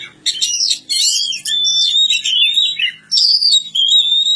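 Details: Oriental magpie-robin singing: loud, varied whistled phrases, sliding and warbling notes in rapid bursts, a brief pause before a final set of clear rising and falling whistles.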